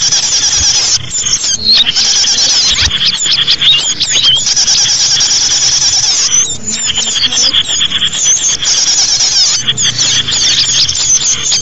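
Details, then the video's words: Lure sound of numerous small birds: sustained high-pitched chattering with quick downward squeaks and thin whistles, all overlapping with hardly a pause, brief dips in the din here and there. "SUARA BURUNG UNTUK PIKAT BURUNG KECIL"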